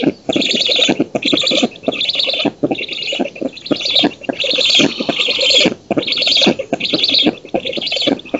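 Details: Female black stork feeding at an oak nest in Poland on 19 June 2017 and driving off an intruder; wheezy rasping bursts repeat in regular bouts about every half to one second, separated by short gaps.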